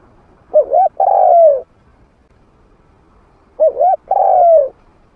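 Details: Spotted dove kept as a trained caller with a medium voice, used to entice wild doves to come and fight. Two identical phrases of hollow cooing, a short wavering note pair leading into a sustained coo that droops at the finish.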